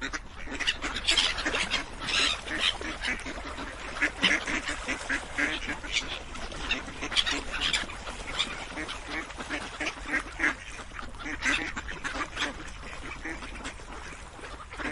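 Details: A busy group of ducks quacking for fifteen seconds: dense bursts of rasping nasal calls, some louder calls standing out near the start and middle, with a constant background hiss.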